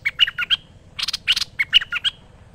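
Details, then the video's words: Merbah lekir bulbul singing in a master training recording: dense, rapid, chattering phrases of short, bubbly whistled notes and rasping chips, with almost no pause. "Merbah Lekir Gacor Masteran Terbaik"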